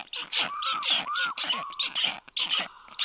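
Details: Black stork young calling at their nest as a stranger stork arrives, midday 4 July 2022: raspy hissing bursts with clear, level whistled notes drawn out between them, the stranger whistling.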